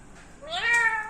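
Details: Talking parrot in a kitchen: one short, rising, meow-like harmonic note over a quiet background hiss.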